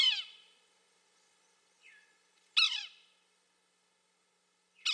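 Yellow-bellied Sapsucker giving harsh, nasal, descending mewing calls, three loud ones spaced about two and a half seconds apart with a softer one between; quiet background.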